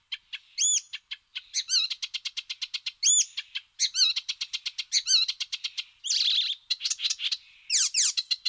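Icterine warbler singing a fast, varied medley of high notes: sweet rising whistles, rapid repeated chips and harsh nasal, buzzy phrases, with no pauses.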